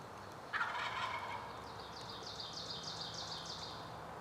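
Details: A young male Wild Turkey (jake), strutting about 10 yards away, gobbles at close range: a loud burst, then a fast rattling run of throaty notes lasting about three seconds.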